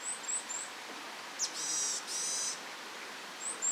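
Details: Varied tit (Sittiparus varius) pair: the male sings very high, thin whistled "tsutsupii" notes calling the female, and she answers with a drawn-out nasal, buzzy "nii-nii" phrase of about a second, then more high whistles.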